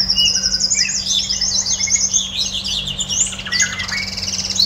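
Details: Singing pet red siskin pours out a dense, unbroken stream of high trills, buzzy notes and chattering twitters for nearly five seconds, with faint room hum.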